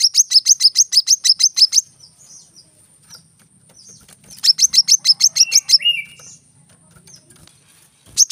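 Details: Tight bursts of high, sharp chips from a brown-throated sunbird, delivered in the rapid-fire 'tembakan rapat' style, with quiet pauses between bursts and a brief lower whistle.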